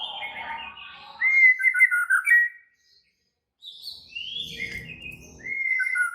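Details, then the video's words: Aggressive, excited singing of a White-rumped shama: warbled whistles in rich rolling phrases, a short silence, then more high whistled phrases over faint background noise. "Murai batu langsung EMOSI TERPIKAT suara murai batu ngamuk AKTIF ini"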